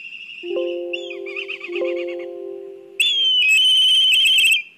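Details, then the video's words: Black kite disturbed at its nest in Kurzeme, Latvia, on a live nest camera. Warbling calls play over steady low humming tones. Then a loud, rising-and-falling trilled call bursts in and holds for over a second. "Satraukums ligzdā Melnās klijas (Milvus migrans)"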